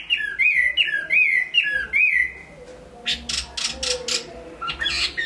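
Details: Hwamei singing in Hải Phòng, Vietnam: four clear slurred whistled phrases, each dipping and rising, given about once every half second, followed by several harsh broadband bursts.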